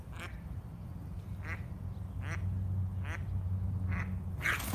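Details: Mother duck with her ducklings at a water fountain, angered by a heron and chasing it away, giving harsh nasal quacks repeated roughly every second and a half over a steady low hum.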